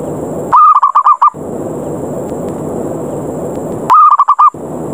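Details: Challenging lure call of a zebra dove, 'ngerot ngayer' type, meant to draw any dove down to fight: two phrases of about six rolling, rapid coo notes separated by a few seconds of hiss.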